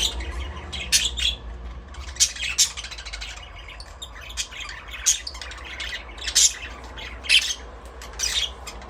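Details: Budgerigars singing and playing in an aviary, a flock chattering continuously with harsh squawks and bright chirps bursting out every second or so over a soft murmur and low background rumble.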